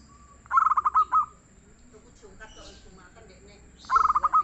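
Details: Soft-voiced local zebra dove singing freely: a quick stuttered run of low, rounded coos ending in longer notes, repeated after about three seconds; faint chirping of other birds in between.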